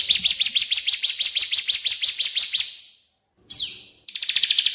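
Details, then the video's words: Cililin and ciblek birdsong mixed for songbird training: a three-second series of quick, bright, high chirps that fades out, a short downward-sweeping whistle after a pause, then the rapid chirping starts again. "CILILIN VS CIBLEK AK47"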